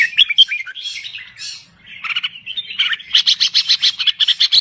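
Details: Thai red-whiskered bulbul singing briskly: bright whistled warbles first, then a run of quick, evenly spaced chirpy notes, about three per second, toward the end.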